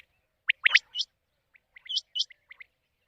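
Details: Night-time quail lure recording for the monsoon season: quick, uneven series of bright upward-sweeping chirps, some doubled, with softer short notes trailing toward the end.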